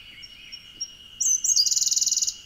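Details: Hidden in a bamboo thicket at Oku-Chichibu, a Siberian blue robin sings, recorded on a Nikon Z50II: soft, thin, widely spaced high ticks, then an abrupt bright high whistle running into a fast buzzy rattle of around fifteen notes, with a constant high-pitched background tone.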